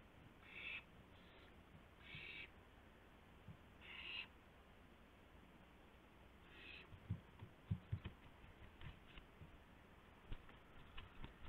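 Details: Owl at 2:51 AM on April 2, 2016, bringing a gopher to another owl. Four harsh hissing bursts in the first seven seconds, then rustling and irregular tapping sounds without calls.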